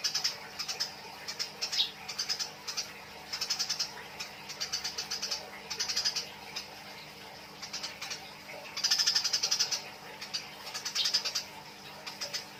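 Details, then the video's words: Harsh, fast chattering from fighting Eurasian tree sparrows, irregular bursts of piercing chirps spread across the recording, a louder dense run near the end, with a steady soft hum in the background. "MASTERAN GEREJA TARUNG || SUARA BURUNG GEREJA || BURUNG GEREJA NYRECET"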